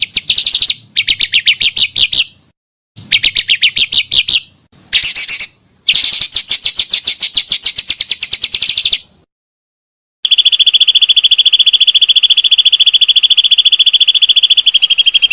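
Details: Pancawarna bird sounds for luring birds: several bursts of fast, high, rattling trills separated by clean silent gaps, ending in a long, steady, high-pitched buzzing whistle.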